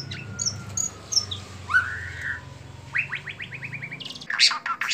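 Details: White-rumped shama performing a bowing display, singing a fast series of rising whistled notes and rapid repeated chips, with a sharp burst near the end; low background hum throughout.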